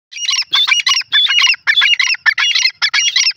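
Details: Grey francolin, Sindhi teetar type, giving a loud, harsh, squawky call: dense buzzy bursts repeated rapidly, about three per second, in a steady chattering run with short gaps and no other clear sounds.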